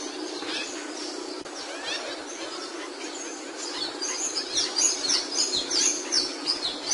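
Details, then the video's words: Capuchino seedeater singing: high, thin whistled notes and quick slurred phrases. The notes grow louder and denser in the second half, over a steady background hiss. "AVE CAPUCHINO Y SU HERMOSO CANTO"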